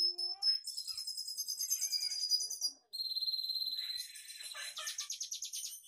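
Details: Red siskin singing a varied mimicked song of other birds' voices learned from tutor recordings: high thin whistles, buzzy trills and rapid chattering phrases, a short pause near the middle, then fast repeated notes.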